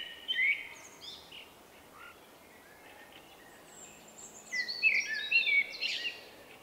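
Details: Common Blackbird male with an individual song, recorded 30 March 2024; a faint whistled phrase at the start, a quiet gap, then a louder sequence of fluty notes and high thin twitters toward the end.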